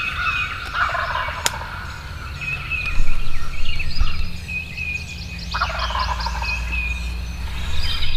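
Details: A wild turkey tom in spring, after flying down in moonlight near a woods edge by a field, gobbles almost continuously in quick, rattling gurgled bursts; thin songbird chirps and a low background rumble run underneath.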